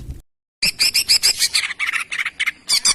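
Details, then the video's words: Greater green leafbird reacting to a recorded master song, singing in rapid harsh bursts of chattering, buzzy notes at a high pitch, delivered in quick succession after a brief silence. "CUCAK IJO Auto JANTROK denger Suara Masteran ini"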